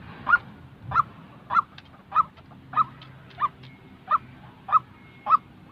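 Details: White-breasted waterhen, a real bird whose call trains decoys for trapping: nine loud, nasal honking notes spaced a little over half a second apart, over faint low background sounds.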